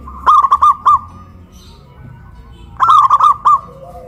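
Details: Local zebra doves in cages hoisted on a pole in Kuningan, West Java, singing loudly; two crisp phrases, each a rolling purr followed by three short clipped coos, separated by a quiet gap.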